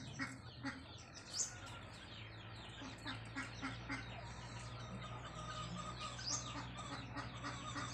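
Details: A Dakhni grey francolin (teetar), with a voice described as beautiful, calls for fighter chicks in harsh, rapid, overlapping bursts that repeat through the clip, over a steady low hum.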